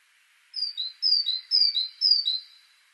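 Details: Great tit (Parus major) singing a rhythmic two-note phrase, a high whistled note dropping to a lower one, repeated four times in quick succession like a seesawing 'tea-cher' over a faint background hiss.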